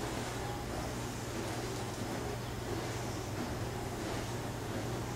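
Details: Constant hiss with a low hum, as from wind or a machine, and no animal sounds.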